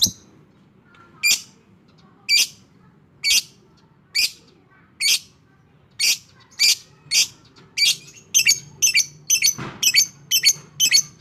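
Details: Fighter-type lovebird giving sharp, high, shrill chirps one at a time, repeated roughly every half second to a second and speeding up toward the end, over a low steady background hum.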